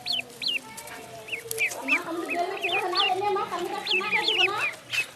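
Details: Duckling in a pond: scattered high, down-curving peeps over a busy bed of lower, warbling tones and general background chatter.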